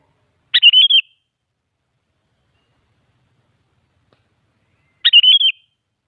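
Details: Sooty-headed bulbul song intended to draw replies from other bulbuls: two identical brisk bubbling phrases of five quick whistled notes, separated by roughly four seconds of silence.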